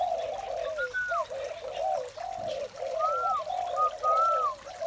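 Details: Continuous low cooing from a spotted dove in the morning, overlapping mellow notes with short dips, plus a few thin rising-and-falling whistles above.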